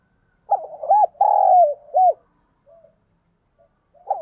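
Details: Decoy spotted dove calling to provoke fights and stir wild doves, a voice style called thổ sấm; a rapid phrase of short looped coos, then a long drawn-out coo and a closing coo, faint soft notes, and another phrase beginning.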